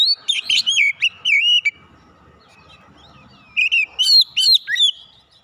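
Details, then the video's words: Untrained Oriental magpie-robin in fighter-character song: two loud bursts of rich, looping whistled notes and quick chips, broken by a pause filled with soft background chatter. "terapi tes Kacer bahan cepat keluar karakter fighter"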